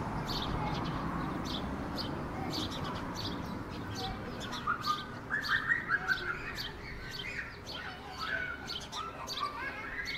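A small brown bird gives quick, bright chirps in uneven bursts from midway on, over a steady low rumble and scattered ticking noises.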